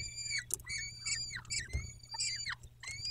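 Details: Peregrine falcon calling at its nest in Dobra on 14 May 2021 at 14:18: a rapid run of short, harmonic, whining notes, each bending downward at the end, with brief gaps and some scratching.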